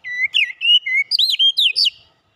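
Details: Lure song of an Oriental magpie-robin for getting a kacer heated up and singing its repertoire: a clean two-second run of about eight fast whistled notes, rising and falling, then silence.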